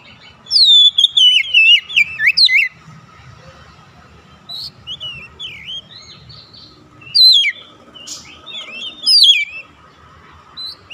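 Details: Oriental magpie-robin calling to other birds, which respond: a long loud run of varied whistles and slurred notes, then softer answering phrases, and more loud twisting whistles toward the end.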